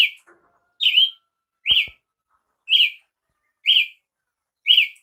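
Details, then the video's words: Brazilian tanager (tiê-sangue) repeating six sharp, slurred chirps nearly once a second, with a few soft clicks and knocks early on. "canto de Tiê sangue"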